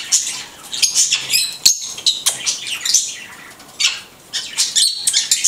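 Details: A blue-headed conure chatters in its talking: clipped, scratchy syllables and sharp squeaks come in irregular bursts, with a few quiet stretches between phrases.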